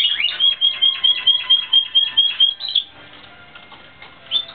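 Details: Timbrado Espanhol canary in training, 2016: rapid series of bright whistled notes pulsed about twice per second for nearly three seconds, then a quiet pause and one last short phrase.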